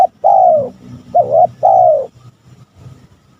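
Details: Male spotted dove calling, used to provoke rival males; loud, low cooing in three drawn-out phrases, the middle one wavering, followed by softer faint coos.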